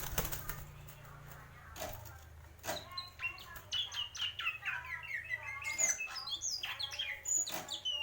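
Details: Greater green leafbird, in the mendem gadong song style, singing a varied run of chirps, slurred whistles and trills, preceded by sharp clicks and knocks, with a low hum throughout.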